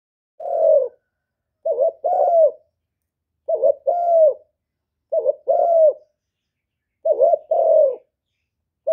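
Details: Spotted dove cooing, used to stimulate caged doves and lure wild ones: five low, mellow two-part coos, a short note then a longer rolling one, repeated roughly every 1.7 seconds in a quiet setting.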